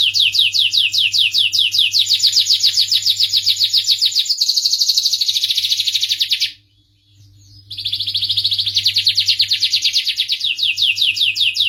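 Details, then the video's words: Starblue canary song of rapid repeated trills, some notes dropping sharply in pitch, others flat and buzzy, broken by a silent gap of about a second before the rolling trills resume; soft low hum behind. "suara merdu kenari starblue"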